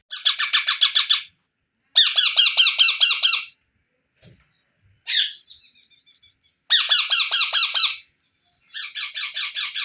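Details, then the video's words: Baby parrot repeating long bursts of fast, harsh, buzzing notes, roughly two to three per second, separated by brief pauses, with one drawn-out trailing squeal in the middle. "Baby Parrot Sounds"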